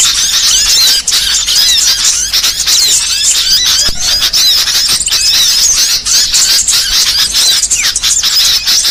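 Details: High, busy twittering from a small songbird known as burcil, recorded to teach other songbirds: rapid squeaky notes, short trills and rising whistles packed densely together without gaps.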